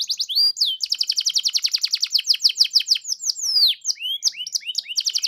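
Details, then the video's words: Provocation song of a canary, intended to make other canaries sing 'gacor': dense, rapid high trills with falling and rising whistled sweeps woven through, continuous and loud throughout. "GAK PAKEK LAMA PANCING DENGAN INI KENARIMU LANGSUNG NYAUT GACOR"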